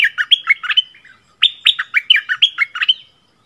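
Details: Red-whiskered bulbul, 24 February 2021, singing the doubled phrase style called เพลงเบิ้ล: two close bursts of quick, sweet whistled notes, high and low in turn, each trailing into a thin level whistle, with a brief gap between them.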